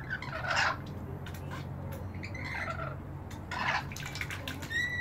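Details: Rainbow lorikeets bathing in a balcony bird bath give harsh, broad squawking bursts, three main outbursts spaced about one and a half seconds apart over a low background hum.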